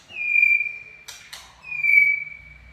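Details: White-rumped shama whistling in "chạy cầu" song: two long, level, pure whistles separated by a brief rasping burst of noise.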